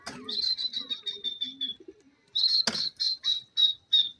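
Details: Francolins during new pair formation: rapid series of high, clear notes that slow into separate spaced pulses, with low soft chatter beneath and a sharp knock midway.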